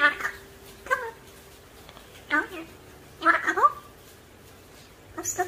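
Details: A talking African grey parrot speaks in short, voice-like phrases with whistled, rising inflections, several bursts separated by pauses in a quiet room.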